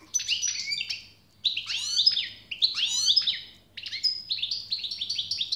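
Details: European goldfinch song in several phrases: tinkling, downward-sweeping chirps, two rich twittering bursts, then a quick series of repeated short metallic notes, with a faint low hum behind.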